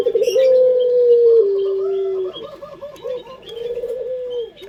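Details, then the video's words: Pet local puter collared dove, the favoured 'pelung' singer for lure recordings; a loud steady coo held over a second drops to a lower long tone, then softer wavering coos, with faint high chirps from other birds. "Pancingan Suara Burung Puter pelung paling dicari bersuara merdu"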